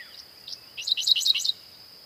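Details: Dickcissel, a songbird of eastern North America, giving a short song: one thin note, then a rapid cluster of sharp, high chirps lasting about a second.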